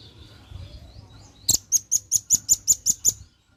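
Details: Lure recording of a male velvet-fronted nuthatch calling its companions: after a soft start, one loud note launches a rapid string of about nine piercing high chips delivered at a steady, brisk pace.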